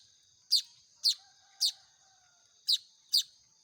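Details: Baya weaver chicks calling for food as they are hand-fed; six quick, shrill chirps, the first three close together, then a pause before three more, above a constant high whine.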